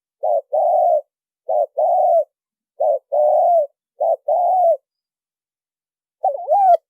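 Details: Spotted dove lure calling with repeated two-part phrases: a short clipped coo, then a longer hollow coo. Four pairs come in close succession, a pause follows, then another bubbling coo begins.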